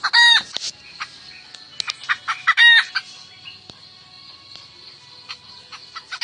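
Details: Wild highland hen calling the rooster: two loud, harsh, nasal squawks about a third of a second long, separated by soft clucking notes, over a steady high-pitched insect-like whine.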